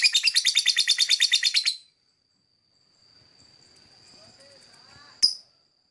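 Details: Lovebird chirping in a rapid run of about seventeen shrill, high chirps packed into under two seconds, then quiet with a faint steady high whine and a single sharp click near the end.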